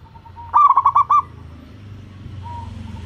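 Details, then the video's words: Local zebra dove, a lure bird whose voice prompts other zebra doves to answer, gives one quick bubbling phrase of about six rolling coos at even pitch. A faint single note sounds before it, with low background hum. "perkutut lokal langsung gacor, sekali dengar suara burung perkutut ini bunyi"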